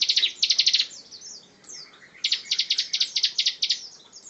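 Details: Bar-winged prinia master bird in ngebren song: clusters of quick, loud, high pulsed notes, a short pause with faint chirps, then a longer run of the same bright pulses.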